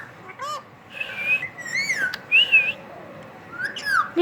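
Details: Pet talking parrot giving a run of whistled, bending vocal sounds with harmonics, some rising and falling sweeps and squeaky speech-like syllables, loud and close, with a person saying "well" afterward.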